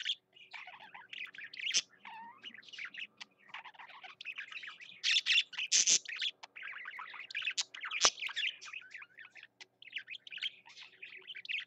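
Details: Nonstop chattering song from a pet budgerigar: dense buzzy warbles, chirps and sharp squeaks with a few clicks, barely pausing over the whole stretch, faint hum behind.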